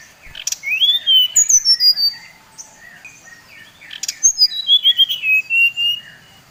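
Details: Bali brown-chested jungle flycatcher giving a provoking lure song meant to rile other males: two bursts of bright whistles, each sweeping upward then stepping down in quick descending notes, separated by a brief pause.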